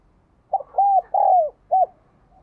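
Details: Captive spotted dove giving one low cooing phrase: a short note, a level coo, a longer coo sliding downward, then a brief final note, over a faint low hum.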